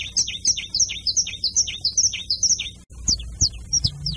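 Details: Canary singing carretilha: a brisk run of high, repeated whistle-and-chip phrases, then a short break. A slower section of separate falling whistles follows, with faint low knocks.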